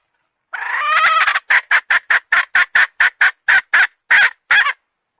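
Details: Hen calling: one drawn-out harsh note lasting nearly a second, then about twelve short, evenly spaced squawks in quick succession, clean with no other sounds.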